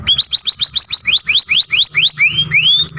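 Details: Young canary singing a masteran song used for song training, with long grumbling sounds: a fast series of rising whistled sweeps repeated about every quarter second, then slower, longer upslurred whistles near the end.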